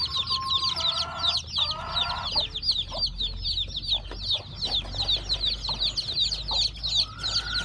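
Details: Newly hatched chicks on a farm where a hen hatched the eggs: constant shrill falling peeps from many chicks, with a few longer, lower wavering tones breaking in early and at the end.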